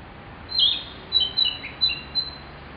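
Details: Song of a Narcissus flycatcher, from a recording made more than a decade ago: a loud high whistled opening note, then four quicker clear whistles and a lower slurred note, over faint background hiss.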